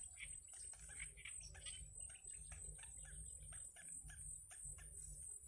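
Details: Yellow bittern chicks in a wild nest being fed by their mother give dense, overlapping raspy chatter and clicking notes. A low rumbling background and a steady high hiss run underneath.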